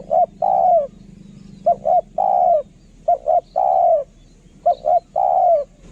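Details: Spotted dove kept as a decoy bird for luring, a fine-voiced singer: a quick double coo followed by a long, slightly falling drawn-out note, the phrase repeated three times. A faint low hum runs underneath.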